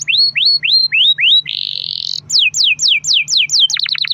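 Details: Lure song of a singing canary with long rolls: five rising whistled swoops, a dense buzzy roll, then a run of descending slurred notes ending in a rapid stutter, with a faint steady hum.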